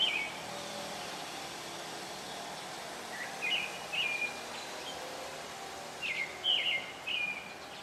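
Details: Pale thrush singing in the early morning around seven o'clock on a house rooftop in a neighbourhood: short, clear, fluted phrases of two or three whistled notes, given in spaced bursts over steady background noise.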